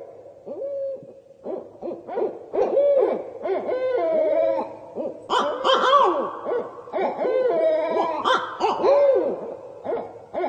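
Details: Barred Owls at night, apparently a pair revving up raucous territorial calls, possibly in response to another pair or individual nearby: overlapping hoots, cackles and swooping wails from more than one bird, rising and falling almost without pause.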